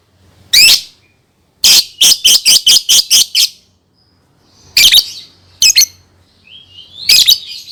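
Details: Lovebird, kept as a pet bird, used as a tutor to teach young birds to sing: loud harsh broadband chirps, a single note then a rapid burst of seven, followed by scattered squawky notes with quiet gaps.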